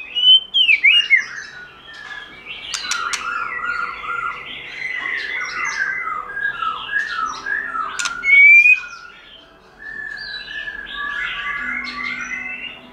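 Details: Forest-voice song of a white-rumped shama kept for song training: swooping whistles, rapid chattering bursts and harsh notes in a continuous varied stream, with a loud sweeping whistle near the middle.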